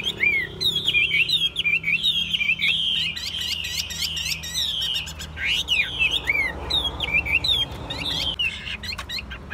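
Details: Caged Chinese hwamei in continuous rich song, a tumbling mix of fast whistled trills, swooping slurs and sharp chips packed closely together, with a steady low rumble of background noise throughout.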